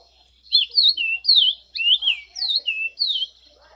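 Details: Clear, liquid whistles from an Orange-crowned oriole, six or seven swooping notes strung together in a rapid musical phrase, some rising and some falling, in a quiet setting.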